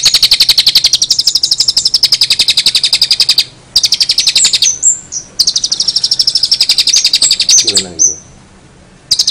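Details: Long-tailed shrike, noted as in full voice with unusual sounds: long bursts of very fast, pulsed, high rattling, broken by short pauses and a few sliding whistles, with a faint low sound near the end.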